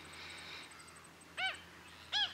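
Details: Wrybills at Miranda in February 2012. Two short, loud, nasal calls, each a quick arched note rich in overtones, about 0.7 seconds apart. A faint high ticking runs behind them.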